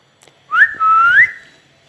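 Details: Pet parrot recorded on an iPhone, producing one loud, clear whistled note that rises sharply, holds level and then sweeps upward again before fading, over faint background hum.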